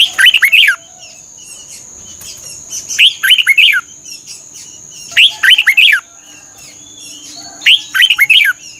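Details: Thai Red-whiskered bulbul song for training caged birds: four bright phrases at intervals of about two and a half seconds, each a quick string of swooping whistles, with a steady high-pitched whine throughout.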